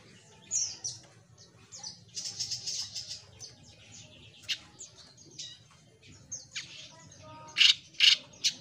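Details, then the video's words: A Jenggot Mini bird singing actively gives a fast, high-pitched run of chirps, twitters and buzzy bursts with little pause, ending in a few loud, sharp notes over a faint low hum. "Suara Burung JENGGOT MINI Gacor"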